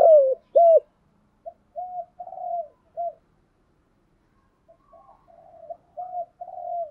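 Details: Spotted dove kept as a decoy, cooing to rouse wild doves: two loud opening coos, then a softer string of mid-pitched, slightly wavering coos, a silence, and more quiet coos.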